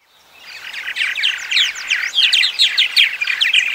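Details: Purple martin song: a dense, fast run of gurgling chirps and short twittering notes that fades in and keeps up a busy, uneven chatter throughout.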